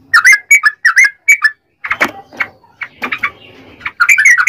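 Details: Yellow-vented bulbul, its long rapid song used to provoke other bulbuls: a short run of bubbly whistled notes, then harsh scratchy noises and rustling, before the liquid chirping resumes at the end.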